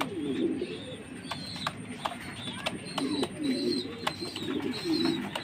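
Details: Jacobin pigeon giving deep, rolling coos in pulsed bursts roughly every second, with thin high chirps of other birds and tapping clicks behind.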